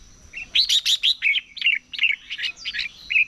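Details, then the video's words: A red-whiskered bulbul in morning competition song delivers a steady stream of bright, slurred, warbled notes, strongest at the start, falling and rising in pitch, with brief gaps between quick phrases. "Chào Mào Hót Đấu"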